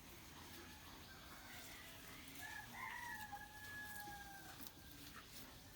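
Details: Distant rooster crowing in the morning, a long level crow of about two seconds heard through steady background hiss and faint bird calls.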